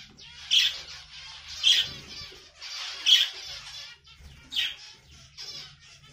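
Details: Budgerigar uttering loud, harsh squawks roughly every second and a half, each a short scratchy burst with softer rasping chatter between them.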